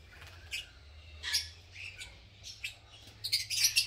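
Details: Masked lovebirds, green form, in a breeding colony making nests: spaced, sharp, high chirps and short squawks a second or so apart, ending in a louder cluster of calls.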